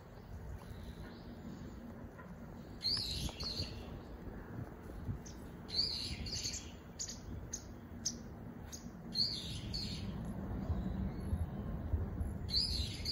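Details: Common kingfisher at the Zenpukuji River in Suginami, Tokyo, recorded on a smartphone with a telephoto lens; short, shrill high-pitched bursts come roughly every three seconds over a steady low rumble.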